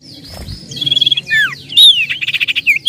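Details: Common iora, called cipoh or sirtu, in a bird-luring recording of lively 'nyiull nyiull' song: sweeping downward whistles, then a rapid run of short buzzy pulses and a final looping whistle, with a quiet low background hum.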